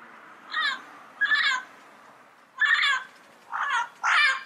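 Yellow-headed amazon giving five loud, nasal, wavering squawks, each under half a second, at uneven intervals over a quiet background.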